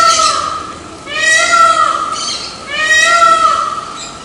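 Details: A male Indian peafowl (Pavo cristatus) gives loud, nasal, wailing cries, each about a second long, repeated three times in quick succession over a faint steady whine.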